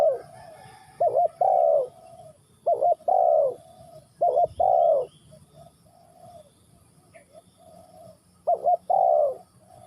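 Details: Cu gáy, the spotted dove, from Ninh Thuận, giving a steady series of hollow coo phrases: a quick double note, then a longer descending coo, repeated about every two seconds, with a soft background hum.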